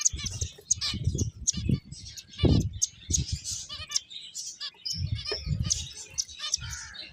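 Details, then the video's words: A group of finches playing, with rapid high tweets and short trills overlapping throughout, mixed with repeated low thuds and knocks from movement. "Cute Birds Chirping Sounds | Beautiful Finches Playing"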